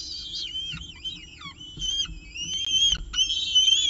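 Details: Nest camera at a peregrine falcon nest, Orange, 18 October 2018, 6:51 pm, evening meal: continuous high, wavering whistles with dipping slurred notes early and a long, steady squeal toward the end.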